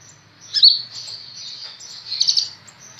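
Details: Caged sunbird, known locally as kolibri ninja, newly acquired and singing readily: thin, very high chirps with a brighter burst early and a short sparkling cluster near the end, over faint low background hum.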